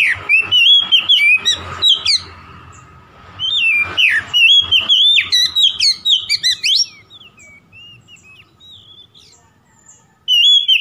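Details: Oriental magpie-robin song used as a lure to provoke a rival: loud whistled phrases with sweeping, rising and falling notes around bright high pitches, quick bursts repeated several times, a quieter pause with faint distant notes, then renewed whistling.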